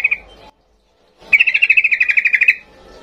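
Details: Yellow-vented bulbul singing excitedly in the 'ngalas' style: a single short note, a second of silence, then a rapid rattling trill of about fifteen bright notes sliding slightly downward.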